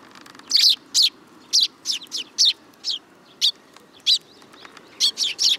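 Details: Sparrow fledglings that hop onto a person's hand at a shrine in July 2022 chirp in a rapid irregular series of short high notes, about a dozen within five seconds.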